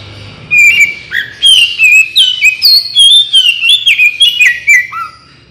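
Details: Oriental magpie-robin singing in full, varied form, used as a lure and training recording to prompt fast responses; loud, continuous run of clear whistles that glide, dip and twist, with crisp clicks between notes, fading near the end.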